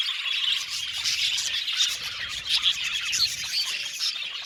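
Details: Australian budgerigars in a colony aviary, their overlapping chatter forming a steady high twitter, with clear short whistled notes popping out about every half second to second.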